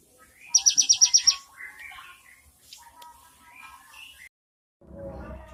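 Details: Cinereous tit in 'isian mewah' filled-song style gives a sharp high trill of seven rapid, evenly spaced notes, followed by softer scattered chirps and twitters, then a brief pause and a low rumbling noise.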